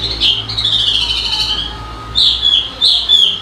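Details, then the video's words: Bird giving high, strained whistled calls: a long wavering note, then three short sharp squeaky notes close together. "Suara burung berkicau"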